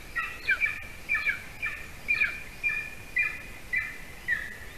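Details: Golden eagle nest camera in Latvia, evening prey delivery by the adult male for the chick; quick series of squealing, buzzy chirps about two per second, fading slightly and ending on a lower drawn-out note.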